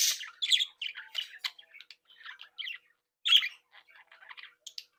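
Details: Happy budgerigar breeding flock kept at home; opening loud squawk followed by quick chirps and scratchy warbled notes, a quieter spell, another harsh squawk, then fast twittering.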